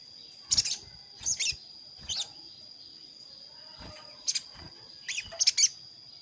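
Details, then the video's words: Sogon calling out a rival, played to lure wild sogon down to a trap; brief piercing chirps, some downslurred, arriving in pairs and small bursts, over a continuous thin tonal whine. "Suara pikat sogon paling ampuh_ sogon manggil lawan untuk pikat"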